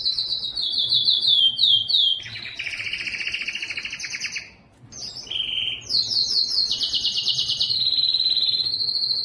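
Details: Yellow canary in song: high rolling trills and descending swoops, a lower buzzy trill, a brief pause, then bright rapid trills settling into a sustained high rolled note.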